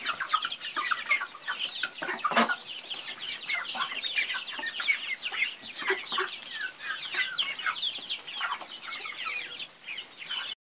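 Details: Chickens keep up a dense stream of high chirping and peeping. A few lower clucks stand out, one sharp and loud early on, over a steady background of calls.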